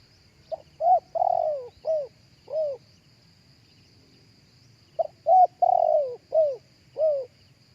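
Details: Live cooing of a spotted dove, meant as loudspeaker playback to lure other doves: two soft phrases of five or six hollow coos, the middle one drawn out and falling. A thin, steady high-pitched whine runs throughout.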